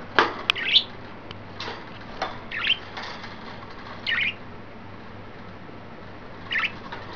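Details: Three excited, playful pet budgerigars, one green, one yellow and one white, recorded 29 May 2012: scattered short high chirps, a few seconds apart, with a soft steady hum underneath.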